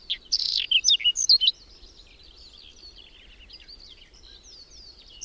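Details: Male-type song of a whinchat in a windy, cold May snowstorm near Domzheritsy, Berezinsky Biosphere Reserve; a dense run of harsh, rattling high notes lasting over a second, followed by faint distant twitters.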